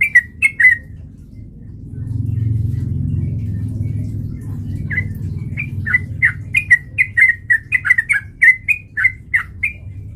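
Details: Sooty-headed bulbul fighting lure: a quick triple chirp, a long quiet stretch with low rumbling, then a renewed rapid series of bright, bouncing notes lasting about five seconds.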